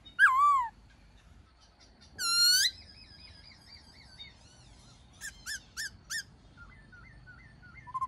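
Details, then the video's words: Wild-style black-throated laughingthrush song for training caged birds: a loud downslurred whistle, a harsh rasping note with wavering tones, then quiet scattered chips and soft warbled notes. "Khướu Hót giọng rừng DÌU BỔI YẾU LỬA HÓT,luyện khướu bổi hót nhanh căng lửa"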